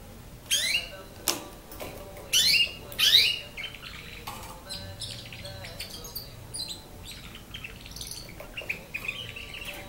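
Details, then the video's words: Young canary, nine months old, practising song: four bright downward-sweeping notes in the first few seconds, then a soft, scattered twittering of short chips. "canaris 9 moins chans تعلم التغريد لكناري 9 أشهر"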